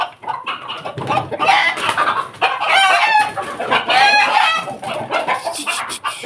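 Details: In the morning a Pelung rooster crows loudly in rough, cackling bursts with two drawn-out, wavering crow notes at a moderate pace; other chicken clucks blend in behind.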